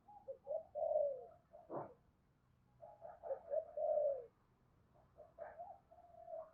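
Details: Spotted dove decoy calling to lure wild doves: soft, low cooing phrases in short rolling groups, with pauses between and a sharp click partway through.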